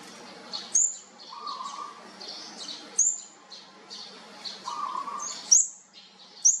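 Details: Thin, very high chirps from olive-backed sunbird chicks, seen during feeding, come at uneven intervals of about a second. Softer twittering and a low steady hum sit underneath.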